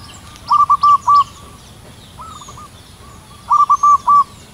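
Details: Local wild zebra dove singing aloft in cool morning air beneath drifting white clouds: two bursts of four short, bright cooing notes about three seconds apart, a softer broken phrase between them, and faint chirps from other birds.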